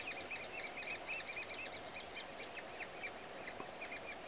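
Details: Young Great spotted woodpeckers being fed give busy, high chattering of short, squeaky notes in rapid bursts, almost without pause, over a steady background hiss.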